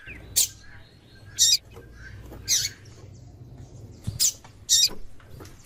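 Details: Calls of a female white-throated seedeater meant to stir up the male: six short, piercing high chips, some paired, spaced irregularly over about five seconds against faint hum.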